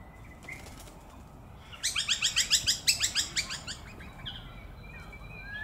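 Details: Eastern spinebill at Maranoa Gardens, Melbourne, Victoria, Australia, on 6 September 2021. A burst of about a dozen rapid, sharp, high piping notes over two seconds, with softer thin whistles and faint chirps before and after.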